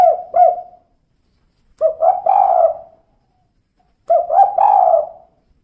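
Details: Cooing of a female spotted dove in the 'kuk 2' style. Three soft, low phrases come roughly two seconds apart, each built from clipped notes that end in a longer, slightly falling coo. Nothing else is audible.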